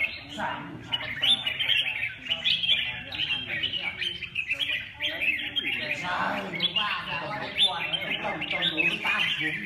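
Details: Red-whiskered bulbul singing a busy stream of quick warbles and sharp chirps in bursts, with a person's voice talking softly in the background throughout.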